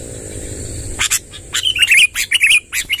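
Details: Sooty-headed bulbul in a long rolling song used to gather wild birds: rapid chattering notes building into a run of bubbly warbled phrases over a steady high hiss.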